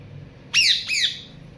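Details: Pet parrot giving two harsh, rasping squawks in quick succession, each sliding downward in pitch, against a quiet indoor hum.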